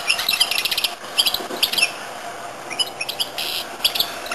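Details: Short burst of goldfinch-canary hybrid song made of rapid, high chirps and trilled twitters in quick succession.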